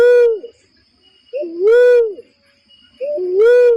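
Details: Barred cuckoo-dove lure call for trapping birds: a brief lower note sliding into a longer, arched, hollow whoop, repeated about every 1.6 seconds against a quiet background with a faint high tone.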